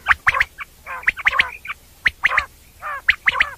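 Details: Common quail (batair) sounds for night hunting: rapid three-note whistled phrases repeated about once a second, mixed with softer nasal, buzzy harmonic notes between phrases.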